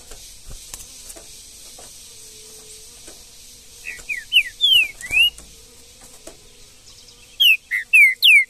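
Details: Green-winged saltator singing in the woods: after several quiet seconds, a phrase of five or six sliding whistled notes, then another rapid burst of clear descending whistles.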